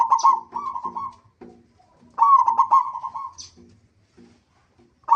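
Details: Local zebra dove singing as a lure to prompt other zebra doves to sing: two bursts of rapid, staccato cooing phrases near one pitch, with softer low cooing notes between them and a third phrase starting at the end.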